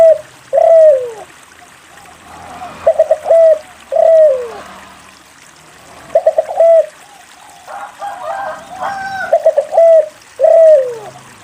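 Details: Frequently singing spotted dove whose song serves to coax lazy doves into calling: repeated low, rounded coos, some preceded by quick stuttering notes, each phrase ending in a drawn-out falling tone, with faint trickling background.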